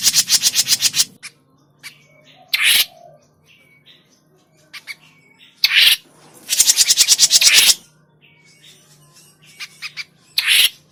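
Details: Grey-cheeked bulbul call used as a trapping lure, with loud bursts of rasping, rapidly pulsed chatter separated by quiet gaps holding short thin whistled notes and faint clicks.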